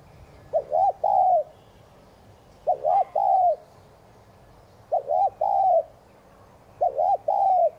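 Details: Spotted dove giving thúc gù cooing meant to spur other doves into cooing. Four mellow three-part phrases come about every two seconds: a quick double hiccup, then one drawn-out, slightly falling croo, over a faint low hum.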